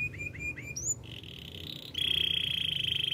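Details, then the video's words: Canary producing a few short hooked whistles, then a soft sustained rolling tone and a louder, steady high rattling trill to the end. "Master canary singing make your canary will sing everytime"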